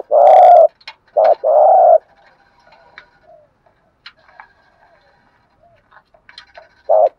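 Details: Spotted dove coos from a male and female pair used to rouse trained birds. Long, rolled, buzzy coos open the recording, followed by scattered soft clicks and a quiet gap, with one more coo at the end.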